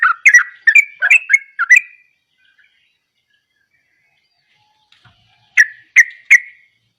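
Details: Yellow-vented bulbul in gacor song. A burst of five or six rich, warbling whistled notes lasts two seconds, then falls silent for over three seconds before a short group of three notes returns.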